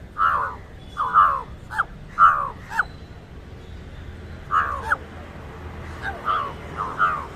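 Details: Indian jungle crow calling to frighten other birds: a fast series of four or five loud, hoarse caws, a pause of nearly two seconds, then another burst of raspy caws, over faint low background noise.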